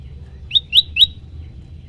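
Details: Three quick, sharp upslurred chirps from a prenjak lumut prinia singing the loud 'tembakan' variation used as training material for songbirds. The notes are close together, preceded and followed by quiet with a soft low background rumble.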